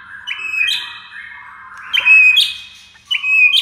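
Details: White-rumped shama master recording for training birds: three loud whistled phrases, each a steady high whistle ending in a sharp higher note, separated by softer quiet stretches.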